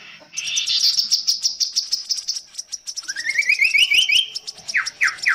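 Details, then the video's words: Chestnut-capped babbler, locally kaso-kaso, in a long-duration song: a high rapid trilled phrase, then a rising series of quick repeated notes, finishing with a few descending slurred notes. "burung kasokaso tepus gelagah kidangan Chestnut-capped BabblerTimalia pileata variasi durasi panjang"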